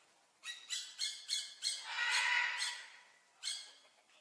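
A Blue-naped Parrot gives a quick run of five harsh, raspy squawks, then a longer grating screech and one more squawk after a pause.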